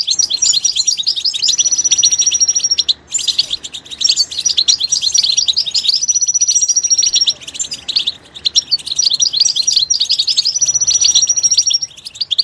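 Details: Continuous goldfinch song in its natural environment: busy tinkling twitters with a long, steady, high whistle drawn out three times between the warbled phrases.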